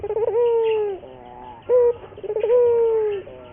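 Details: Puter dove, a local bird, giving a training lure song: a rolling, stuttered coo that stretches into a long sustained note and sinks at the close, then a short punchy note before the roll begins again.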